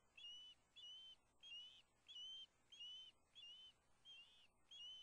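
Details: At the Hellgate Osprey nest in Montana on September 2, the male arrives with a large fish, recorded by nest camera. Steady whistled calls repeat about every two-thirds of a second, each a clear, slightly arched note.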